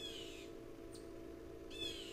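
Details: Tufted titmouse (Baeolophus bicolor) at a bark butter feeder on the afternoon of 19 July 2024, around 2:04 p.m., gives two harsh, nasal, downslurred calls about 1.5 seconds apart, with a thin high note between, over a low hum.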